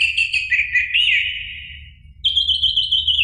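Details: Orange-headed thrush singing in the ngeplong style, played to draw song from a caged bird. A rich, fluttering warble slides gently downward and fades, then a steady, clear high whistled phrase follows. Faint hum underneath.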